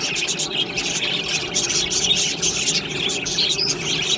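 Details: Budgerigars, described as Australian budgies, chattering nonstop in a dense, busy stream of high chirps and squeaky twitters with no pauses, like a lively flock calling over each other.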